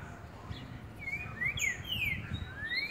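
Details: Green-winged saltator recorded on 10 April, singing clear, slurred whistles, some rising and some falling, in a short phrase over a steady low background hum.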